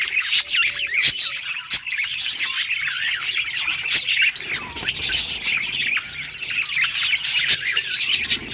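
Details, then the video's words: Pet parakeet singing a happy, unbroken warble of chirps, trills and squeaky whistles, with occasional loud clicks. "Budgie singing happy | Birds chirping | Parakeet happy life"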